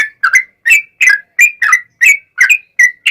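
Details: Yellow-vented bulbul singing vigorously in a long rapid style to prompt other bulbuls to answer: chattering sequence of bright chirps and quick double notes, varying slightly in pitch, delivered about three per second.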